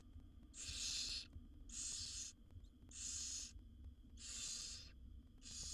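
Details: Wild barn owl chicks, seven in a nest box being fed by their mother, give loud rasping snore-hisses, five bursts at just over one-second intervals with quiet pauses between.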